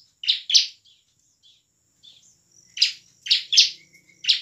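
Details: Bar-winged prinia in energetic gacor song, a lure for reluctant birds to sing and fight; harsh sharp notes in pairs, then a pause, then a fast run of three or four, with faint background hum.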